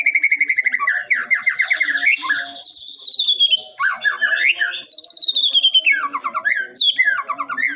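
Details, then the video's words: Young white-rumped shama in a cage singing a rich, varied song of sweeping falling whistles, fast stuttered note bursts and high twittering phrases, almost continuous. "murai batu masih anakan udah bisa jadi master"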